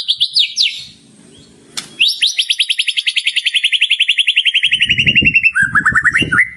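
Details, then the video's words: White-rumped shama singing in full voice and showing off a rich repertoire of learned phrases: brief whistled sweeps, a pause, then a long, fast series of buzzy, slightly descending notes, closing with lower rising warbles over a soft rumble. "masteran burung murai batu gacor bongkar isian mewah"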